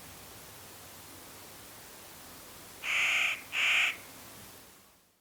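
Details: Clark's Nutcracker in ponderosa pine forest in late October giving two raucous, nasal squawks in quick succession, each about half a second long, over a quiet hiss of background noise.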